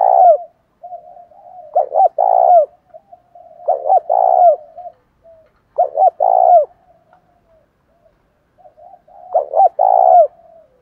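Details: Decoy spotted dove with a 'thổ pha' voice, calling to provoke rivals to fight. Four cooing phrases come about every two seconds: short stuttered notes and a long buzzy falling coo, with soft low murmurs between them.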